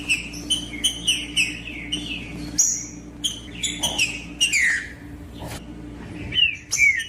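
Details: Green-winged saltator singing in the woods, used to excite a silent bird: rapid series of short whistled notes and descending slurred phrases, with occasional high sharp chips.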